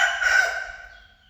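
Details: Final part of a cockerel's crow: a coarse, loud, broad cry peaking early, then weakening steadily into a fading, drawn-out note.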